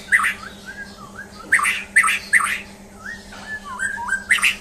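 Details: White-rumped shama, a champion bird under a mental test, alternating harsh scratchy bursts with smooth, wavering whistled glides, above a steady background hum.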